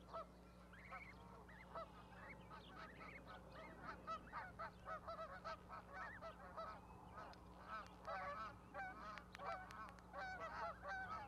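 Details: Goose family on an osprey nest in Charlo, Montana, May 12, 2020, goslings still on the platform with their parent; busy overlapping peeping, many short notes packed together, with a faint background hum.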